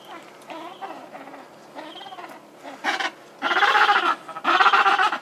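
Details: Hungry Gentoo penguin chick calling for food at Brown Station, Paradise Bay: a run of harsh, bleating, harmonic calls, soft and wavering at first, then two loud drawn-out bursts, each about half a second long, near the end.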